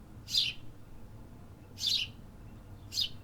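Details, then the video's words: City birds singing in an urban setting: three short, bright high chirps spaced about a second and a half apart, over a steady low city rumble. "Urban Birds Sound Effects -- Hear the activity"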